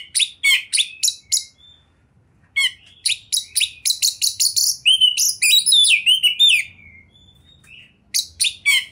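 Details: Champion kacer, the Oriental magpie-robin, in 'gacor' full-material song: clusters of sharp, metallic chips, a brief pause, then a dense rattling run blending into looping whistles before more chips.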